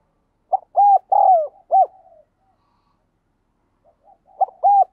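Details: Spotted dove used as a decoy, giving insistent calls to lure wild doves: a grouped run of mellow coos with one stretched, falling note, silence, then a fresh phrase starting near the end.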